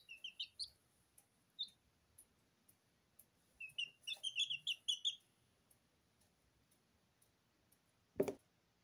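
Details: Two-week-old Porcelain and Lemon Sablepoot bantam chicks bathing in their feed in a kitchen; scattered short high peeps in small bursts, a quick run of chirps midway, then a single loud thump near the end.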